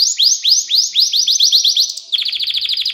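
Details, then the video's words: Canary singing, recorded as a lesson for young canaries: a series of upswept whistled notes repeated quickly, shifting into a fast, dense buzzy trill. "Ders Gibi Kanarya Sesi Ve Ötüşü 2 Saat Kesintisiz"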